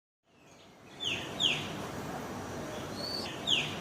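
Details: A bird singing outdoors gives a few sharp, high, downslurred chirps about half a second apart, then a pause and a higher whistled note before one more chirp, over steady hissing background noise.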